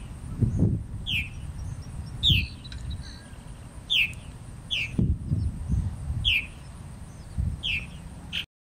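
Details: Two Purple Martins at Charles E. Price Memorial Park, Middletown, Delaware, on 28 July 2013, giving short, bright, down-slurred chirps about once a second over low wind rumble and a steady high hum.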